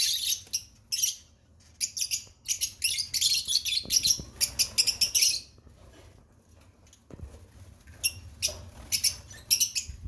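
Fischer's lovebird chicks give harsh, high, buzzy chattering in rapid bursts, pausing briefly between flurries, with a faint low hum beneath.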